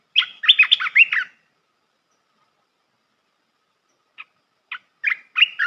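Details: Melodious red-whiskered bulbul song for teaching young birds to sing. A fast run of rich warbled notes opens, a pause follows, then single chirps lead into another lively phrase.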